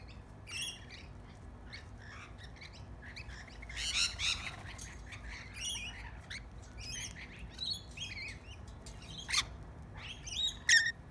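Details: Several lorikeets in a backyard, being hand fed bread crust, chatter with shrill, screechy squawks and chirps in irregular bursts, calling over one another against a low background hum.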